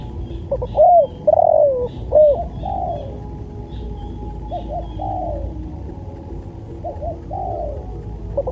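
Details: Spotted dove song for bird training: loud phrase of short rising notes and a long descending coo, followed by several softer coo phrases at irregular intervals against low hiss.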